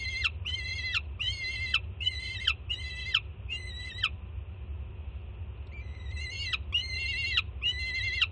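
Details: A juvenile peregrine falcon in Jersey City greets its mother's food delivery with loud screams of excitement, June 2017; six rapid harsh screams, each with a sharp downward tail, a pause, then three more, over low background noise.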